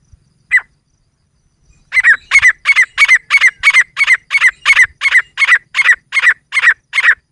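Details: Female grey francolin, jungle teetar voice used in hunting: a single opening note, a pause, then a rapid, regular series of about fifteen loud, harsh, ringing notes close together.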